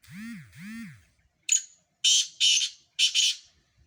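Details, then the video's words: Black francolin, one of four birds in a Sindh calling contest: two rising-falling whistled swoops from another source open, then the bird's short note and three rough grating phrases. "4 سندھی کالے تیتر مقابلہ"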